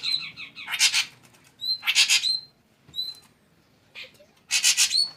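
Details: Shrike song in short bursts: harsh broadband rasping notes alternating with thin, clear whistled slurs, with quiet gaps between phrases.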